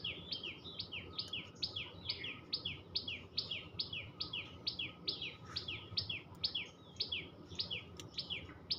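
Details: Tailorbird chattering in a long unbroken run of shrill chip-and-slur notes, about two or more per second, steady in pitch and loudness, over faint background hiss and a few clicks.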